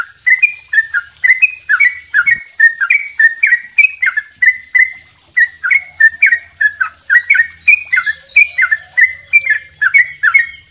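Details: Yellow-vented bulbul singing a long double rolling song, used as a master recording for training songbirds. Short bright chattering phrases repeat about twice a second in a steady series, with faint higher chirps from another bird in the background.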